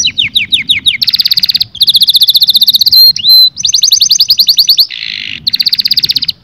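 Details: Canary song used to stimulate males and females to mate: loud, fast rolling trills and rattling note series switching between high and very high pitches, with a brief buzzy section, nonstop throughout.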